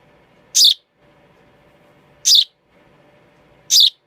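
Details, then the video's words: Three sharp, high, rasping chirps from a baby sparrow, spaced unevenly about one and a half seconds apart over a soft background murmur. "A baby sparrow makes a chirping sound"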